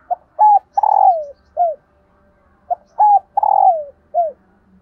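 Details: Two matching cooing phrases roughly two and a half seconds apart from a female dove calling to stimulate males, each with clipped opening notes, a rolling purr falling in pitch, and an arched final coo.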